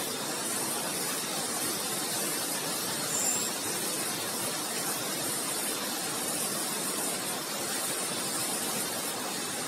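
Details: Steady rushing hiss of spraying water fills the recording, with no clear animal voice.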